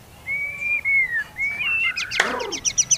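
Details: White-rumped shama song played to provoke other shamas: long, pure, drawn-out whistles, one gently falling, followed by a sharp crack and a quick run of high, thin chipping notes.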